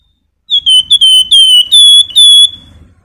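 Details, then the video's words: Javan white-eye (wergan jawa) singing a quick run of clear, high, sweet whistled notes, slurred and rippling for about two seconds, with no other sounds; song used as a tutor and lure for contest songbirds. "Burung Wergan Jawa Flamboyan Cocok Buat Masteran maupun Pancingan"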